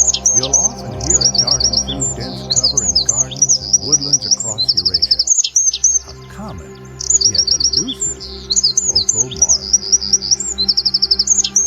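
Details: Eurasian wren singing in the morning, a loud, very high, fast song of rattling trills and sharp notes with a brief pause midway, with soft music or voices faint underneath.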